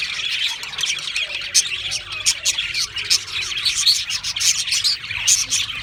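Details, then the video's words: Australian parrots chattering together with quick, high, scratchy chirps and several sharp whistled notes popping out above the continuous flock twitter. "Beautiful Australian Parrots Chirping sounds beautiful Parrots Sounds"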